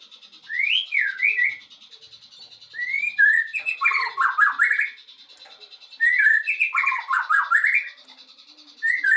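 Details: Murai batu, the white-rumped shama, singing isian material: warbled whistled phrases wavering up and down, each lasting about two seconds and repeated roughly every three seconds, with a constant high buzz behind.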